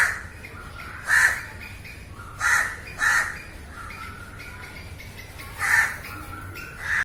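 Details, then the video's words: Live recording of a crow cawing: single rough caw, then a pair, a long pause and two more caws, each brief and grating over a steady low background. "烏鴉叫聲 烏鴉呱呱叫👂烏鴉聲音效 現場錄音👍Crow Calling"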